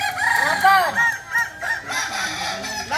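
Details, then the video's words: Kukuak Balenggek chickens, a native singing chicken breed of Solok, in crowing performance training: several overlapping harmonic crows, rising then falling in arcs, with notes layered one over another through three seconds. "Latihan prestasi Ayam kukuak balenggek ayam penyanyi asli Solok"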